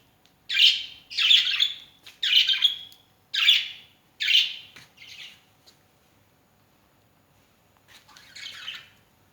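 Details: Pet birds making noise early in the morning give harsh, noisy squawking bursts, five quick calls about one a second, then a pause and one more raspy call.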